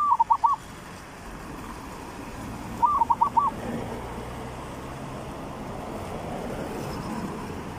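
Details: Zebra dove in the three-province song style, used as a trapping lure: two short bursts of four or five quavering, rolled cooing notes, about three seconds apart, over loud steady background noise.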